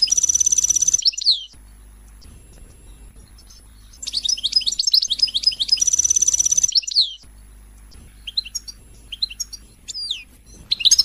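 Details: Royal goldfinch song intended to excite singing: bursts of high twittering and a shimmering fast trill, separated by quiet pauses of several seconds, with scattered thin rising and falling whistles toward the end.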